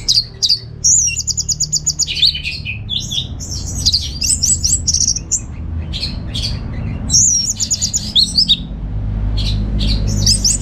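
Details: Orange-headed thrush, a kept cage bird from Singaraja in North Bali, singing as a training lure. Fast strings of sharp whistles, trills and buzzy notes come in two long bursts, with a steady low rumble underneath.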